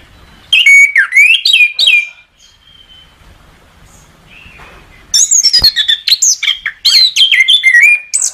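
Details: Anis kembang, the orange-headed thrush, in a bird-training recording: two rich, fast phrases of mixed whistles, chips and slurs separated by a three-second pause with a faint steady whistle, the second phrase longer and more varied.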